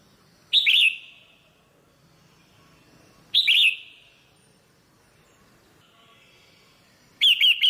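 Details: ['Captive female red-whiskered bulbul calling to stimulate a male; brief harsh chirps with a descending tail recur roughly every three seconds, three bursts in all, in a quiet setting.']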